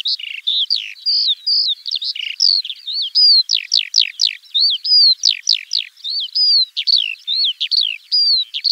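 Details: Eurasian skylark (Alauda arvensis) singing over open fields in spring: a rapid, unbroken stream of high chirps, trills and slurred whistles, notes tumbling one after another with no pause.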